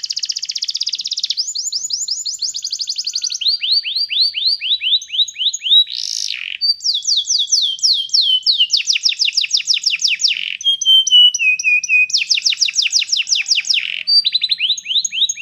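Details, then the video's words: Training song for teaching a canary to sing: a long series of tours, including buzzy rolls, repeated downward-sweeping notes and rapid trills, changing every second or two, with one loud burst midway and a quiet background. "cantar canário faz seu canário cantar"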